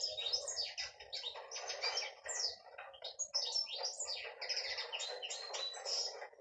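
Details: Hen canary singing: rapid twittering and chattering notes with sharp downward slurs, sung without pause, fairly quiet with a faint background hum.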